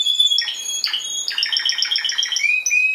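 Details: Spanish timbrado canary, a yellow bird with a black patch from 2012, trained for singing competitions, gives short chopped notes followed by a fast even run of repeated pulses and a closing held tone.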